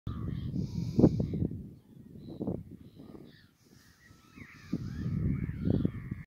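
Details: Shelducks at Cote on 29 December 2019, mid-afternoon, give harsh, cackling calls in irregular bursts, with a quieter gap in the middle and faint higher whistled notes toward the end.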